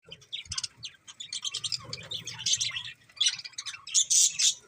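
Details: Several budgerigars chirping: a busy stream of short, scratchy, high chirps and squawks in overlapping bursts, with brief louder peaks near the end and a faint low hum beneath.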